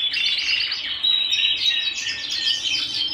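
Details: Domestic canary song at home, a lively run of quick rolling trills and clear, piercing whistles, loud and continuous.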